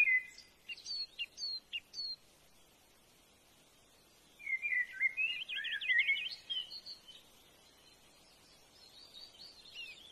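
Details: Brown-hooded kingfisher eating a large snake gives a few sharp high chirps, then a fast chattering trill lasting about two seconds, with fainter calls after it over a soft outdoor hiss.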